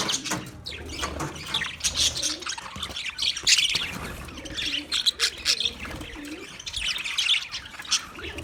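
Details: Budgie flock, 9 March 2024, giving dense overlapping chirps, squeaks and warbles, with faint low cooing in the background.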